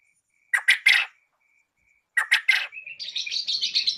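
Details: Male and female quail calls used to lure birds into traps: two bursts of three harsh, scratchy notes, followed by a rapid high chattering run.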